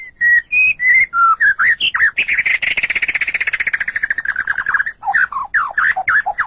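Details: White-rumped shama song used for training captive songbirds: whistled slurred notes near the start, then a long fast trill of rapid repeated notes slowly falling, ending in varied rich whistles.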